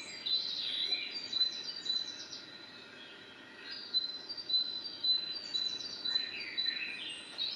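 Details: Common blackbird singing outdoors: thin high notes around a steady pitch, then lower warbled, fluty phrases near the end, with short pauses between phrases and soft background hiss.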